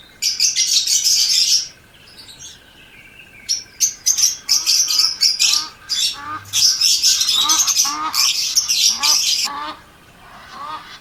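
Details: Pet blue lovebirds, opaline and parblue opaline colour forms, kept in Pakistan: a busy group chorus of shrill, high chirps and squawks in dense bursts, with short quiet gaps between flurries.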